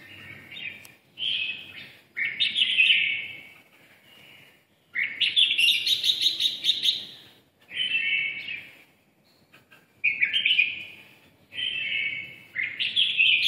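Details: Red-whiskered bulbul, red-eyelid type, giving its 'ché' song: several loud, buzzy, warbling phrases about a second long, separated by short silences, with one longer rich outburst in the middle.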